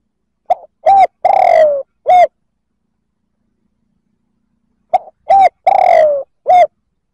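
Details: Two identical spotted dove coo phrases, used to provoke rival males, about three seconds apart: a faint short note, a hollow coo, a long downward-sliding coo and a crisp ending coo, with nothing else audible.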